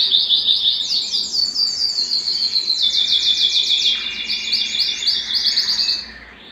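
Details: An excited male canary, wanting to mate, sings a long, rapid run of bright trills and chirps, with fast repeated notes shifting pitch through high, rolling phrases.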